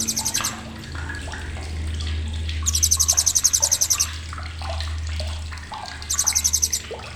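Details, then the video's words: Blue-crowned hanging parrot, sharp chattering calls: three bursts of rapid, very high-pitched rattling pulses, the middle one longest, against a steady low hum and watery background noise. "CRECETAN TAJAM BURUNG SRINDIT"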